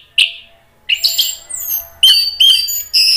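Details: Orange-headed thrush song used to provoke rival thrushes into answering, Indonesia: rapid high whistled notes, sliding squeals and dense bright phrases, fast and varied, with little pause.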